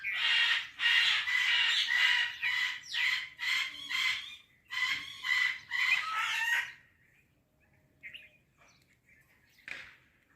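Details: Indian parrot, locally called mitthu tota, said to be talking: loud, raspy, harsh bursts repeated about twice a second for nearly seven seconds, then near silence with a few faint, short chirps.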